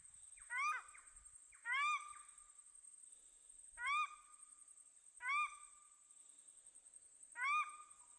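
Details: Paradise shelduck ducklings, newly hatched, on their first afternoon on a lake in the Maungakotukutuku Valley, New Zealand. Five loud, arched, whistled peeps come singly every one to two seconds against a quiet background.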